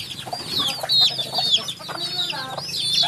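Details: Baby chickens peeping in a group: thin, high, downward-curving peeps overlapping irregularly, with a faint low hum underneath.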